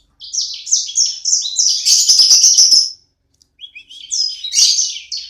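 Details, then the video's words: Owner's small sanger bird in full vigorous song: quick high chirps run into a dense buzzy trill. A short silence follows, then renewed bright twittering. "Burung sanger ku ( sikecil gacor )"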